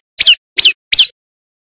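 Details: Loud male prinia singing, used as a lure for wild birds: three quick, shrill, downslurred squeaks about 0.35 seconds apart, then silence.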